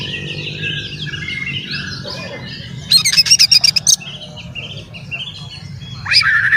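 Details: Oriental magpie-robin, a male in full song meant to provoke rival magpie-robins; soft warbling gives way to a loud fast rattling burst of about ten notes, then a rising whistle and scratchy ending, low background hum.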